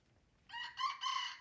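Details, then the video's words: Red junglefowl from Aceh, Durung, Krueng Raya, giving a short wild crow: three harsh, rich segments run together over about one second, the middle one strongest, against a quiet background. "Ayam Hutan Aceh # Kokok Ori Durung Krueng Raya"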